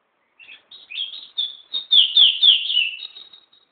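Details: Pet songbird singing at home into a mobile phone: a fast run of high twittering chirps, about four per second, swelling louder midway and falling in pitch before fading.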